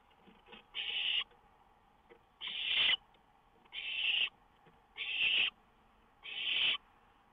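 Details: Owl at its lookout in the small hours of 19 May 2013, a songbird close by. Five breathy, rasping hisses sound about every one and a half seconds, with faint clicks between them.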